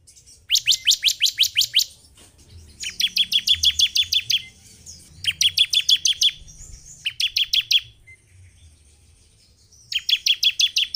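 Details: Bar-winged prinia song, a lure to make a caged bird emotional and start singing: five strident bursts of rapid, evenly spaced metallic notes, eight to twelve per burst, with short silent gaps between.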